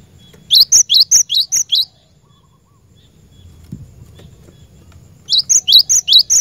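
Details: Cinereous tit (glatik batu) used as a lure bird, in vigorous song: a fast burst of about seven high, sharp two-part notes, a pause of silence, then another similar burst; faint low hum beneath.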